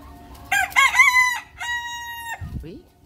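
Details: Bantam rooster kept at a rural Vietnamese home, crowing in the morning as a wake-up call: a loud harmonic two-part crow, a rough rising opening then a long level held note, about two seconds in all, ending with a short low rustle.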